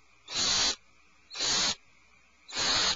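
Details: Owlets in a nest cavity, alarmed, give three drawn-out breathy screeches of about half a second each, spaced roughly a second apart.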